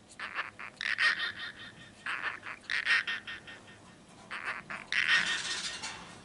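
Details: Pet cockatiel talking in a single-take recording indoors: rapid chattering bursts of mimicked speech syllables, scratchy and voice-like, in clustered phrases with short pauses between, fairly quiet with a soft room background.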